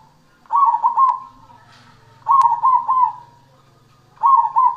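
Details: A cemani (black) zebra dove in active song gives bursts of soft, rolling, trilled coos, each phrase of three quick notes repeated about every two seconds, over a faint low hum.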